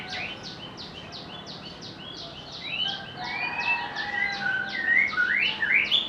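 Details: White-rumped shama song rising out of a steady chorus of rapid high chirps from other callers; the shama adds long level whistles, then sharp upslurred notes toward the end.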